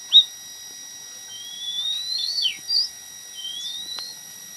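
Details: Munia song played to tutor an oriental magpie-robin: thin high drawn-out whistles slowly rising and wavering, a few short slurred notes between them, with a steady electronic tone underneath.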